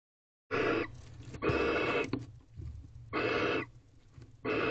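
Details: Male barn owl at a nest box meeting his first owlet before dawn, 5:07 am on 4 April 2023; three long raspy hissing bursts, each about half a second to a second, separated by quieter breathy gaps.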